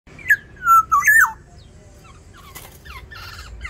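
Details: Black-naped orioles fighting in an aviary over territory, giving loud, fluid, slurred whistles that rise and fall in a quick burst, then fainter harsh, scratchy notes in the small enclosed space.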